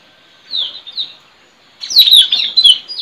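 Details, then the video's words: White-rumped shama in the wild forest: two soft downslurred notes, a short pause, then a loud rush of rapid high twittering and sliding whistles; recorded at a trapping perch. "Suara Mp3 puling//Tajaling//tanau"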